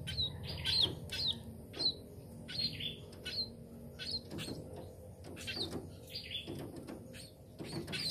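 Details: Steady series of thin, high twittering chirps from a tame sparrow, some with quick upward flicks, continuing irregularly with a low background rumble.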